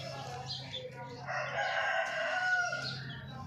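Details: Chicken (hen) in the morning giving a drawn-out harmonic call that swells and holds for about two seconds, over a steady low hum and faint background noise.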